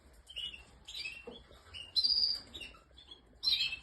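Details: Canary song of varied chirped phrases: warbled notes, then a bright sustained whistled trill near the middle, then a final burst of chirps after a short pause. A quiet low hum sits beneath.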